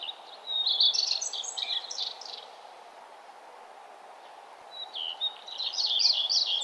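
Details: Sunrise on a nature trail with birds singing: two energetic bursts of high, jumbled warbling, split by a quiet gap of about two seconds, with a low steady hum throughout.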